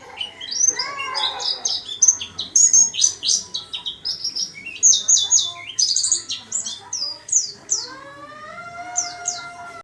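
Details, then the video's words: In a small cage, a warbling white-eye sings energetically with quick, high-pitched twittering phrases. A lower, longer whistled sound rises toward the end. "Burung Pleci rajin berkicau di sangkar kecil"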